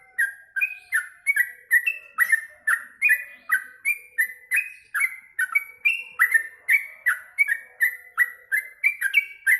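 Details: Energetic song of a caged yellow-vented bulbul fed mealworms: a steady stream of liquid, warbling whistled notes, nearly three per second, each with a quick downward slur.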